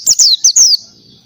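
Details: Oriental white-eye in ngalas-style song, giving four quick high descending whistles, the last one drawn out, then a soft fade.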